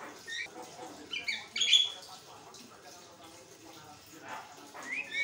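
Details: Javan myna singing continuously to train other birds; a short rising whistle, a loud squealing note, soft rasping chatter, then a rising whistle at the close.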